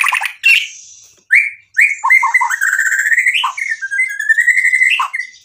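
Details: Loud White-rumped shama song packed with varied phrases, used to provoke a rival: a few sharp scratchy notes, then clear rising whistles leading into a long, rolling warble that climbs and dips.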